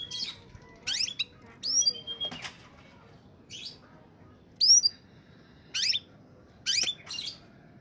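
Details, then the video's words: Oriental magpie-robin singing in peak form, a lure for untrained birds: short bursts of harsh high chirps alternating with arched whistled notes, spaced about a second apart, in a quiet setting. "suara burung Kacer saat sedang on fire!!!! pancingan burung bakalan/ pikatan"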